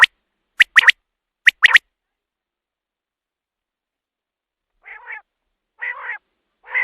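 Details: A common quail, recorded as a night hunting lure, gives a few sharp three-note calls. After a long silence three softer nasal, buzzy calls follow.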